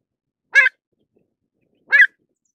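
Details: A pied avocet calls twice, about one and a half seconds apart: short, rich, slightly nasal yelping notes, with nothing else heard.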